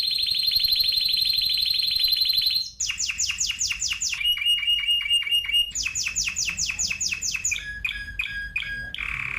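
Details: Spanish timbrado canary singing varied tours: a loud buzzy rolling trill, then repeated downward sweeps, a steady rapid trill, more sweeping notes, and short metallic phrases, with faint low background hum.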